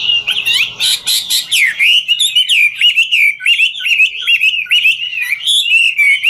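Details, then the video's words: Chinese hwamei, ngũ trường type, hopping and dancing while singing a long, varied, rapid warble of looping whistles and twangy notes that runs without pause, with a few buzzy bursts at the start. "Họa mi ngũ trường hót múa cực chất"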